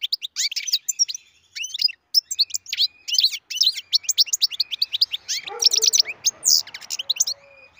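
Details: European goldfinch bred in captivity delivering a long run of bright, liquid twitters and high chirps, rapid and jumbled, with a harsh buzzy note and some faint background noise toward the end.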